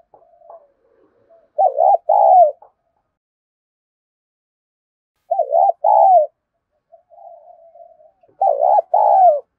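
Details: Kích bổi cooing by a spotted dove to lure other doves: low soft murmurs lead into three strong phrases of throaty stuttered coos ending in a drawn coo, spaced a few seconds apart.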